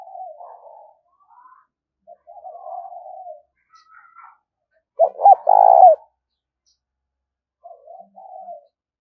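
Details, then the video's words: Cooing of a spotted dove, meant to excite decoy doves into song and for decoy training; soft low murmured coos, then a strong phrase of two short hooked notes and a long vibrating coo, then faint coos. "tiếng cu gáy kích bổi nhanh nổi xiêng gáy và tập mồi rất hiệu quả"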